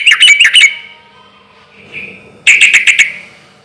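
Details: Sooty-headed bulbul singing loudly in a relaxed rhythm as a lure for other bulbuls to reply: two bursts of fast gurgling, bubbly notes with a faint soft phrase between them.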